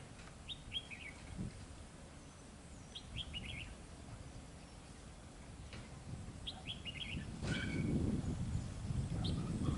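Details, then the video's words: Escaped red-whiskered bulbul singing: short bright phrases of quick chirpy notes, repeated about every three seconds, over steady low rumbling background noise. "Chào mào sổng"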